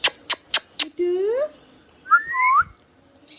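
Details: Pet hand-tame green parrot: four quick clicking taps, then a drawn-out harmonic, voice-like syllable and a wavering two-part mimicked phrase.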